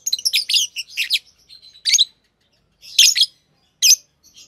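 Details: Green Fischer's lovebirds, a pair, open with a dense stream of scratchy, twittering notes, then break into separate harsh chirps with gaps of up to a second.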